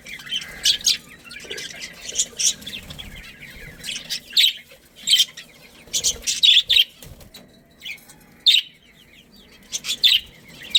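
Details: Budgerigar pairs and family in a breeding colony give rapid, scratchy chirps in uneven clusters, some louder than others, over a continuous murmur of softer calls.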